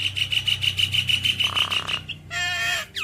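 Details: Javan myna in lively, full song, used as a lure to get other mynas to answer: a steady series of rapid pulsed notes, a harsh buzzy phrase, then clear, slurred whistles. A low hum runs beneath.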